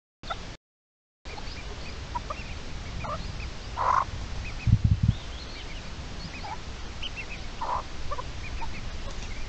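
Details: Adult red-legged partridge guarding its chicks on 29 May 2023, giving two loud, rough, gobbling bursts several seconds apart, with brief low thumps between and faint high chick-like peeps scattered through the background.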